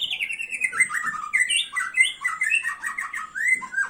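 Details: White-rumped shama singing a fast, varied run of rich whistled and chattering phrases, notes sliding up and down and tumbling into one another with almost no pause, clear against a quiet background.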